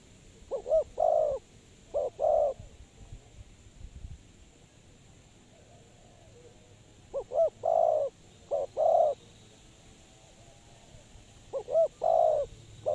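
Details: Spotted dove kept as a decoy for trapping. Bursts of double short coos are each followed by a longer coo. They come in three clustered groups separated by several seconds of quiet, with a soft rumble below.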